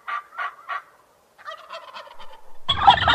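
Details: Turkey giving three short gobbling notes, then softer rapid rattling, ending in a loud harsh burst of sound.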